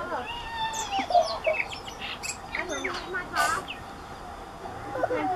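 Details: Tui sings near Huka Falls by the Waikato River in woodland near Lake Taupo, 27 March 2016: a jumbled run of liquid whistles, sharp clicks and short wheezy bursts at varied pitches over a steady low rush.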